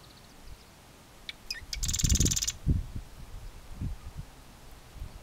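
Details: A Marsh Wren (Cistothorus palustris) at Johnson Log Pond, Coos County, Oregon, on 2 April 2020, gives one brief song: a few sharp introductory ticks, then a fast, dry, buzzy rattle of about half a second, over low wind rumble.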